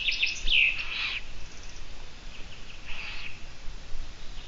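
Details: Eurasian eagle-owl recorded live on a nest camera on 17 June 2017 just after noon: a loud, breathy rasping hiss at the start, then a fainter second hiss, over steady outdoor background noise.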